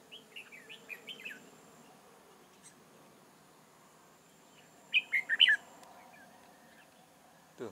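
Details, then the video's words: Decoy red-whiskered bulbul at a trapping site in Chương Mỹ, Vietnam, 7 October 2018; a soft burst of chirpy notes opens, then a loud clipped phrase of four bright whistled notes midway, with a faint rustle at the end. "Bẫy chào mào Chương mỹ"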